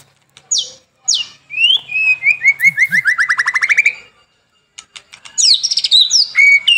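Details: White-rumped shama singing on a lure track for morning and evening: two sharp falling whistles, then a long accelerating series of rising notes sweeping upward, a pause, and a burst of high twittering.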